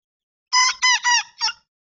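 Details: Young rooster about two and a half months old, crowing for the first time one evening: a short, high, hoarse crow of four harmonic syllables, three quick and a separated fourth, lasting about one second against silence.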